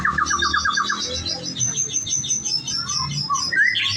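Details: White-rumped shama singing a varied song: a quick run of repeated chirping notes, then a jumble of high twitters and whistles, ending in a sharp rising whistle, over a low background hum.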